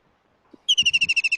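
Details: White-throated Kingfisher in India, calling loudly: a rapid trill of about a dozen sharp, high notes at a fast, even pace, with faint low thuds underneath.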